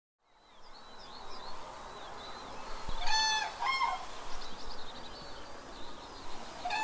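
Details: Common cranes visiting Gallows Bridge Farm in the Upper Ray Meadows reserve, Buckinghamshire, UK, May 2018, recorded on a phone through a spotting scope; a short burst of loud, harmonic-rich trumpeting midway, with small songbirds twittering steadily in the background.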